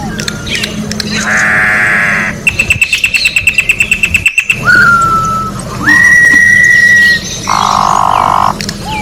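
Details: Orange-backed troupial in nature, giving a song of a coarse buzzy note, a rapid string of high pips, a falling whistle, a long level whistle, and then another rough buzzy note.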